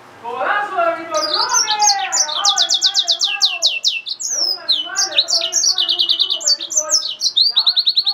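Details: Hybrid yellow-fronted canary mule finch song heard as fast high trills and chirped phrases, overlapping a lower, harmonically rich warbling voice from another singer throughout.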